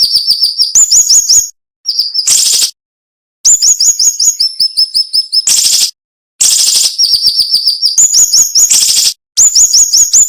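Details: Dense, sharp cinnamon-bellied flowerpecker song with short pauses, for training songbirds: bursts of high slurred whistles and quick ticking series alternate with harsh rasping bursts and brief silent gaps.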